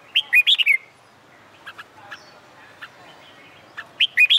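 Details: Summer-day red-whiskered bulbul, trained for song contests, delivering two quick bubbling whistled phrases at start and end with faint chirps in between.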